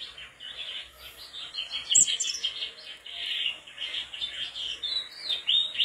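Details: Mangrove blue flycatcher singing persistently: a continuous run of high, quick warbled and twittering notes with short slurred whistles, steady and unbroken throughout.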